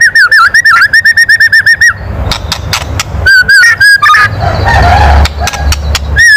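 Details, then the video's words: Loud kretekan of a white-rumped shama, used to stir up emotion in other birds: a fast run of short, sharp whistled notes repeated about ten times, then scattered whistles and clicks over a low rumble. "SUARA KRETEKAN MURAI BATU KERAS MEMANCING EMOSI"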